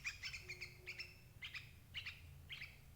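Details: Chirping calls of a sooty-headed bulbul meant to draw in adult birds for trapping: quick bright notes grouped in twos and threes, a faint steady tone early on, low rumble throughout.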